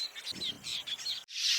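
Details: Village Weavers in a noisy breeding colony in Cameroon, where breeding coincides with the rains and males build green nests. They give a dense, overlapping jumble of high, scratchy chirps, ending in a brief burst of steady hiss.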